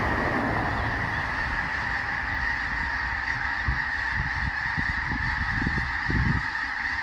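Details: Enormous flock of several thousand geese calling together, an unbroken chorus of honking that blends into a constant roar, with low thumps and rumbles underneath.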